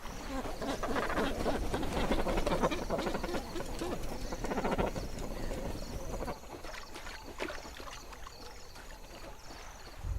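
A dense chorus of guttural cormorant squawks and croaks, rapid and overlapping, fades after six seconds into quieter scattered calls with splashing water.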